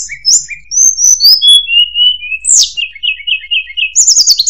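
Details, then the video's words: Murai buluh (tledekan) pouring out a rapid, varied song: falling whistles, a long descending slur, then a string of quick repeated notes and a high rattling trill to finish. "Burung Murai Buluh | Tledekan"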